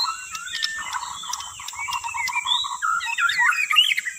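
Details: White-rumped shama lure song: a string of quick repeated low whistled notes, then rising whistles and a busy burst of high twittering, over a steady high background tone.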